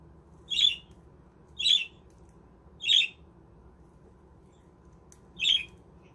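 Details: Budgies in a home-made aviary giving four harsh, short squawks, the first three about a second apart, then a pause before the last.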